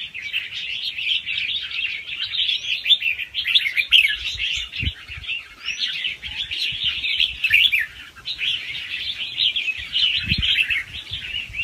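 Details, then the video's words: Extended fast-round song of a young wild red-whiskered bulbul, soft head phrases and a doubled trick: rapid whistled twitters and sliding notes in long runs, with occasional low knocks. "ลูกนกกรงหัวจุกป่าคัดหัวปากเบาๆ รอบเร็ว มีลักเบิ้ล ใว้เปิดกระตุ้นนกฟังนกคึก"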